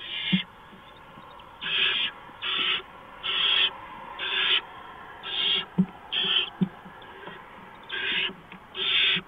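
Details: Barn owls at the nest on 6 March 2015 before dawn, a mouse being brought in. About ten rough, rasping hisses come in irregular bursts, with occasional low taps and scratches between them.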